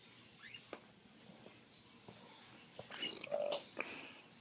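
An African grey parrot makes short, high squeaks, clicks and whistles, mimicking male and female voices.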